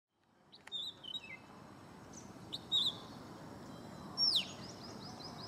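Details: A male Oriental magpie-robin gives bright, high whistled phrases and a sweeping downslurred note, mimicking a Red-whiskered Bulbul, with a steady low background hiss.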